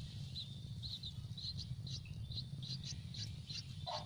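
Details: Hungry Yellow-vented bulbul nestlings begging for food in a nest on a tree: faint, short high chirps repeated every few tenths of a second over a steady low rumble of background noise.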